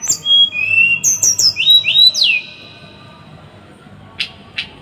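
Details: Small bird singing for masteran tutoring in close, rough 'tembakan' style: high falling whistles, a level whistle, then steeply rising and falling slurs in quick succession, followed by quiet with two soft harsh notes.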